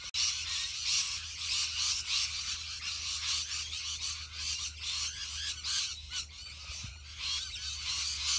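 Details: Enormous flock of rainbow lorikeets in Australia producing an unbroken roar of shrill squawks and twittering, swelling and fading slightly in waves.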